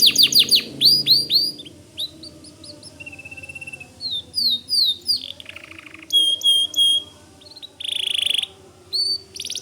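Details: Lively white canary song of rising whistled notes in rapid series, a short steady trill, slurred swoops, bright piping notes and harsh buzzy rolls.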